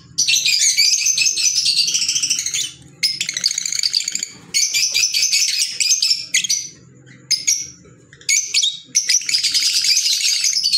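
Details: Green Fischer's lovebirds kept as pets giving loud, shrill, high-pitched chattering in long rapid bursts separated by brief silent gaps, with short sharp squeaks between.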